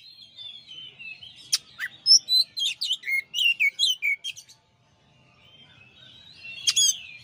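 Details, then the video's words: A champion kacer (Oriental magpie-robin) on a master song recording sings a dense phrase of sharp clicks and varied loud whistles for about three seconds, falls silent, then resumes with a soft, low warble and a single sharp note. "masteran suara kacer juara"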